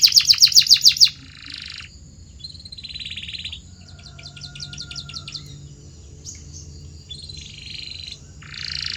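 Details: Canary in training song meant to make canaries sing more: a loud fast pulsed trill for one second, followed by softer buzzy rolls and fine rapid chatter.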